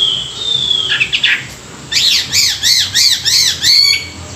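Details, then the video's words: Morning song of a Chinese hwamei kept for song training: a long sliding whistle, then a burst of five or six quick arched notes repeated in rapid rhythm, bright and ringing. "luyện giọng họa mi họa mi hót buổi sáng"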